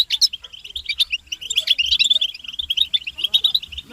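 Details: European goldfinches in a chirping chorus used to encourage males to sing: quick, liquid high twitters and sharp tweets tumble over one another in a short, lively run.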